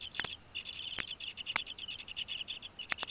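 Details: At a Northeast Florida bald eagle nest holding two young eaglets fed on fish, January 2016: an almost continuous stream of high, rapid chittering notes, punctuated by several sharp broadband clicks.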